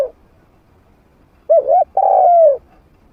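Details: Decoy spotted dove, a trained bird with a medium voice, played to lure wild doves. One phrase: a short double coo followed by a long, smooth, slightly falling coo, clean and loud against near silence.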